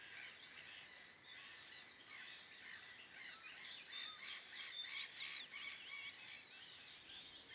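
Great cormorants at the nest: a dense, continuous chorus of high, squeaky chittering and wheezy notes from many birds, swelling in the middle with no low croaks.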